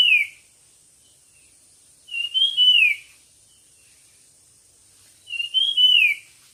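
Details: Competition songbird delivering bright whistled phrases that start with a short rising note and end in a falling slur. The phrases come roughly every three seconds, with quiet gaps and a thin high background hiss.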